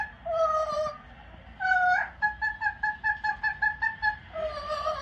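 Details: Captive yellow-naped amazon parrot hanging out on its perch on a Thursday night, calling loudly: drawn-out harmonic notes, then a rapid run of about ten short pulsed notes, ending in another long wavering note.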